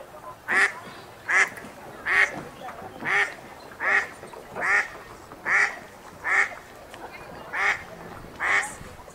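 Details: Duck on a river in a city park gives about eleven short, nasal quacks at a steady pace, roughly one every eight-tenths of a second, over a soft background of flowing water.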